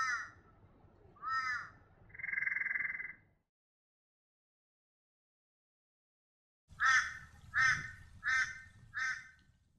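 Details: Torresian crow in the northeast New England region of NSW, Australia: harsh, nasal caws, two short and one drawn out, then after a pause four clipped caws about a second apart, over a faint low rumble.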